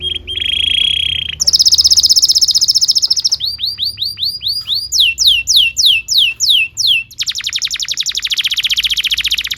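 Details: Canary singing as tutor material for young birds: a steady buzzy tone, a higher dense roll, a series of arched whistles, descending sweeps, then a long fast trill.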